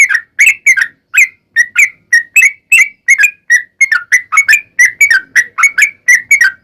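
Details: Lure recording of sooty-headed bulbul song meant to prompt bulbuls to answer: steady stream of quick, fluty whistled phrases, short notes chained without pause, bright and clear with no other sounds.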